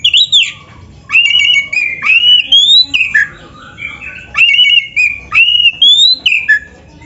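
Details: White-rumped shama song used as a master for other birds: long sustained whistles with slurred ends and warbling, delivered in phrases about a second long separated by brief pauses.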